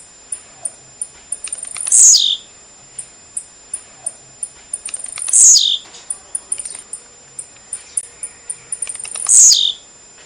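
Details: Blue-black grassquit, a male kept to be stimulated or taught to sing, giving its sharp, buzzy, downward-sliding song about every three and a half seconds, with thin high ticking notes between phrases.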